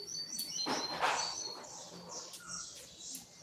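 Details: Coleiro (double-collared seedeater) in captivity giving a short tui tui song: clear high whistled notes repeated in quick series, then a broad noisy burst and sparser chirps, amid steady background hiss.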